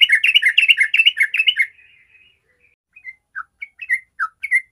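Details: Sooty-headed bulbul in 'ropel' song, a lure for prompting other bulbuls to sing: a dense burst of rapid, bubbly chattering notes for under two seconds, then a pause and scattered single chirps and short falling notes.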